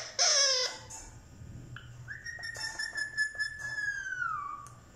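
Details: Talking parrot indoors in a small room: a loud harsh squawk opens, then a long clear whistled note that holds steady and slowly falls, with faint clicks and chatter around it.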